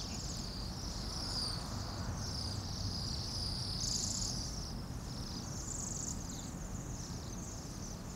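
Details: Bohemian waxwings, a flock of some 200-300 birds in noisy Anchorage at minus 8 degrees F, producing a rippling, wavering high trilled chorus throughout, set against rumbling traffic.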